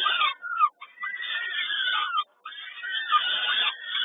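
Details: Peregrine falcons begging while being fed, Kawęczyn, 10.05.22: insistent drawn-out screeching whines, flat then sliding, cut by two short silences.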